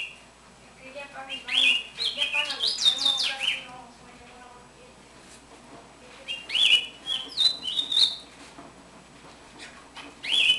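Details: Captive one-year-old house finch, taken from the nest as a chick and kept caged, singing: a fast warbled run of varied, stepping notes. After a pause, shorter chirped phrases follow, with a young brown-backed solitaire warbling in the background.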